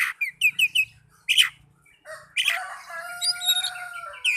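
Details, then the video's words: Oriental magpie-robin lure song for caged birds: a few quick whistles and a loud chirp, a pause, then a long harsh, buzzy phrase with sustained whistled tones over it, with a soft low rumble beneath. "Pancingan burung kacer agar cepat gacor"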